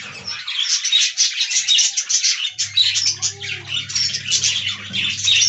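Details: Many budgerigars in an aviary chattering continuously, a loud, rapid, pulsing stream of high chirps and warbles with barely a pause, joined partway through by a low steady hum.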